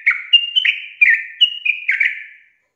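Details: Sooty-headed bulbul in a brief burst of ropel song: five or six liquid, whistled notes alternating between higher and lower pitches, ending in a fading trill.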